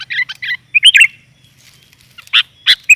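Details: Sooty-headed bulbul female call for luring males: a few bright chirpy warbled notes, a pause, then scattered sharp chirps over a faint low hum.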